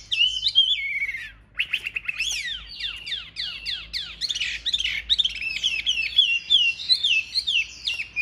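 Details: Big-bodied Chinese hwamei singing in fighting display: a rich, fast stream of clear whistled and warbled notes, slurring up and down and repeated in quick varied phrases, with little background noise.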